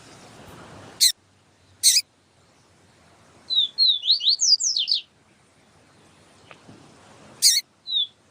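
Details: Sporophila nigricollis tutor song, siu-siu style, with a female calling to excite males. Loud clicks frame a short burst of five or six fast descending high slurs, followed by a lone faint whistle.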